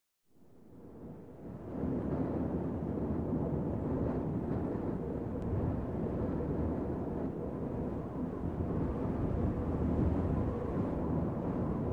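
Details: Steady low rumbling noise like wind buffeting a microphone or distant traffic, with no animal calls heard.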